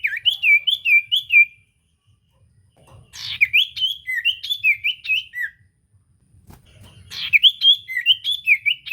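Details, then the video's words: Lively common iora song for coaxing a silent bird to reply: rapid series of high looping whistled notes, about two to three per second, in three phrases separated by short gaps. "Burung sirtu cipoh gacor pancingan ampuh bikin cipoh macet bunyi langsung nyaut"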